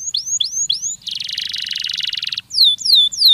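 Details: Canary singing a stimulating song meant to encourage young canaries to sing: three upswept whistled notes, a dense buzzy rolling trill lasting over a second, then loud descending swept notes repeated quickly.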